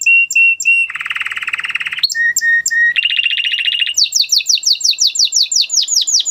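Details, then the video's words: Male canary song moving through short whistled notes, a dense buzzy trill, more level whistles, a fast rolling phrase, and a long run of quick falling high chirps. "Beautiful canary song اواز زيباي قناري نر مست"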